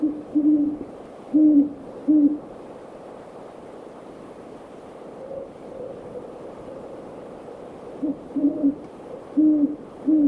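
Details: Great horned owls in a backyard one evening: a short series of deep muffled hoots in the first two seconds, then a quiet stretch with faint distant hooting, before another run of low hoots near the end.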